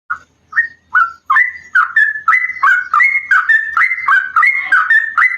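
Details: Sooty-headed bulbul in a long, lively trill resembling a straw-headed bulbul, used as a lure for other bulbuls: mellow whistled notes start spaced apart, then merge into a continuous bubbling run of rising and falling phrases.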